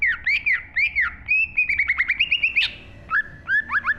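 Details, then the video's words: Green leafbird song from 2023: arched, looping whistles followed by a fast rising series of chirps, a brief pause, then a few lower slurred whistles. "burung cucak IJO GACOR FULL ISI AUTO MANTAP"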